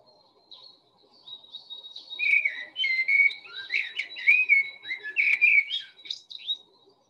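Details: Common blackbird song in early spring: a rich, deep, fluting phrase of mellow whistles breaking into a higher twittering flourish; each phrase differs rather than repeating, no other sounds.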